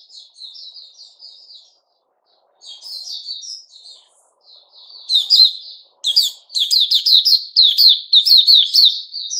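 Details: Sooty-headed bulbul, recorded 10 July 2021: soft, level warbled notes at first, then louder, rapid chattering phrases of sharp, bubbly notes that speed up toward the end.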